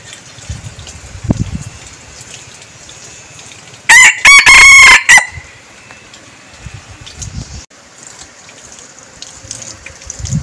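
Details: Decoy red junglefowl cock gives a single loud crow of several clipped syllables with a sustained harsh middle, set against quiet rustling and low thumps before and after.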